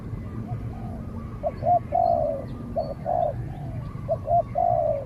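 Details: Two spotted doves call against each other, a trained decoy bird and a wild rival that keeps its distance before being chased away. Quick clipped coos build into longer, falling coos, packed closely over a low rumble.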